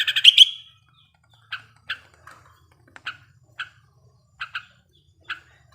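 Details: Sooty-headed bulbul, a breeding-condition wild male used as a lure for singing. A short loud burst of chirps opens, followed by single clipped two-toned chirps spaced about half a second to a second apart in silence.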